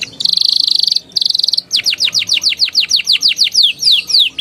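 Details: Juvenile canary song used to coax young canaries into singing: two bursts of buzzy high trilling, then a long rhythmic run of loud downslurred whistled notes, roughly four per second.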